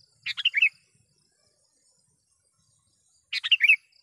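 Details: Gacor sooty-headed bulbul calling a rival, used to lure wild bulbuls: two short bursts of bubbly, chirping notes, each a quick run of three or four warbled syllables, separated by about three seconds of silence.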